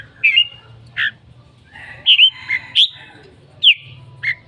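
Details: Singing red-whiskered bulbul giving loud slurred whistles, some doubled, others dropping steeply, spaced irregularly through the clip, with a low mechanical hum underneath.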